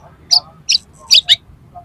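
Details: Oriental magpie-robin giving four short, harsh, rasping notes spaced unevenly over two seconds, part of a rough-material song meant to excite another magpie-robin.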